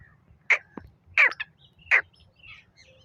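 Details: Black francolin call heard as three separated harsh, scratchy notes about seven tenths of a second apart, with a low hum in the background.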